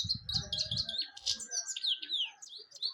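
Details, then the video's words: European goldfinch singing: fast, liquid twittering of high tinkling notes and short slurred whistles, run together without pause, with soft low buzzing thumps in the first second. "golden finch singing nicely طيور الحسون الذهبي تغني بشكل جميل"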